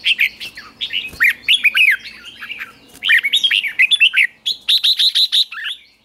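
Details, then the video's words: Morning training song of a caged red-whiskered bulbul, 'ché' style for stirring wild-caught birds: lively chattering, warbling phrases, strongly up-and-down, ending in a string of crisp repeated chirps. "Luyện chào mào hót sáng, QUÁ HAY - CHÉ KÍCH BỔI CĂNG ĐÉT, luyện chào mào hót căng lửa"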